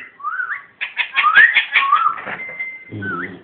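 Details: A pet ringneck parrot of unknown sex, which the owner describes as laughing, gives swooping whistles, then a quick stuttering run of laugh-like notes and a long level whistle; a brief low voice is heard at the end.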